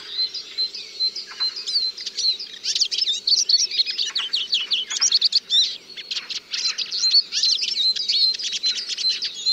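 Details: Song of a siskin, a finch, pouring out rapid high twitters and buzzy trills interspersed with clear thin whistles, dense and continuous, over a soft background hum.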